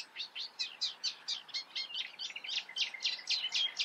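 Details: In the Eifel a Eurasian reed warbler repeats short grating notes about twice a second, each a harsh chirp, in a steady chugging rhythm with slight variation.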